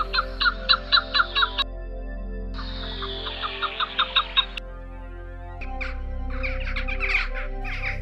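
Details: Chukar partridge (Alectoris chukar) in the Ezousa Valley, Paphos, Cyprus, giving its mating call from a vantage point so it carries far: bursts of harsh clucking chuck notes, about two a second, building into rapid chatter over a low steady musical drone.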